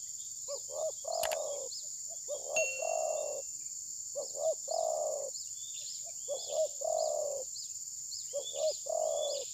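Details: Spotted dove used as a decoy in bird trapping, reluctant to strike its rival and possibly moulting, recorded on a mobile phone: repeated low phrases of two short pulsed notes then a long rolling coo, over a steady high insect drone and faint chirps.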